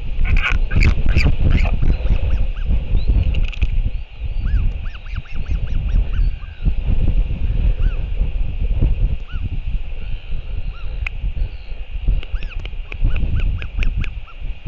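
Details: Royal albatross, an adult male returning to feed its chick at a New Zealand nest, recorded by a live camera at 7:58 pm on 28 March 2023. Runs of short, arched, whining notes alternate with sharp clattering bursts over heavy, constant wind rumble.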